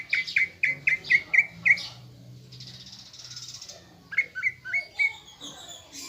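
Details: Caged greater green leafbird giving a lure song to provoke fighting mood: quick bursts of repeated whistled notes, a pause with faint hiss, then another short series.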